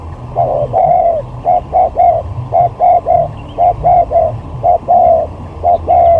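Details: Spotted dove used as a lure in a luring skill contest, steady run of soft hollow coos in grouped phrases of three, some notes drawn out and falling, with faint higher chirps behind.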